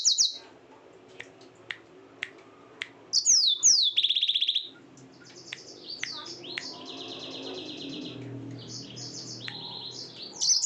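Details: Night song of a yellow-fronted canary: sparse faint ticks, then a loud outburst of downslurred whistles and a buzzy trill, followed by quieter rattling trills and slurred notes over a soft background hum, ending with another bright phrase.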